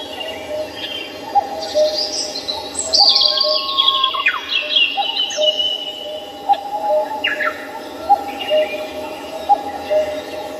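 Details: Wild birds singing on a morning at Samcheong Park in Seoul: high, clear whistles that slide downward, a few sharp chirps, and a steady low hum with soft repeated notes underneath.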